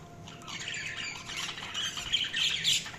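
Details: Budgerigars chirping: a continuous busy chatter of high warbling twitters and squeaks, rising in intensity toward the end, with a faint low background hum.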